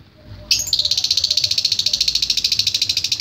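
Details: Lovebird ngekek song: after a brief soft lead-in, a sudden long, loud, rapid high-pitched rattling trill of evenly pulsed notes, about ten per second, sustained to the end.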